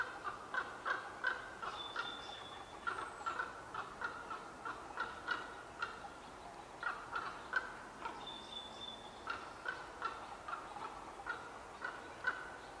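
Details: Two unseen ravens in trees at Qualicum Beach, May 23, 2011, conversing, at times contentiously: rapid, irregular bursts of short hollow knocking and clucking notes, with a thin high steady whistle from another bird and constant background hiss.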